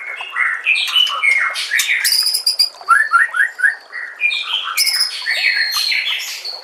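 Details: White-rumped shama (murai batu), a captive songbird, delivering a loud, varied song of clear whistles, buzzy bursts and a quick series of short rising slurred notes, followed by sharp high chips and whistled phrases.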